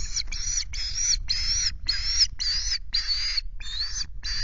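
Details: Osprey on a nest with chicks at Loch Garten, Scotland, 5 July, as two fish are brought in; nine drawn-out, whistled squeals, each about a third of a second, repeated twice a second over low wind.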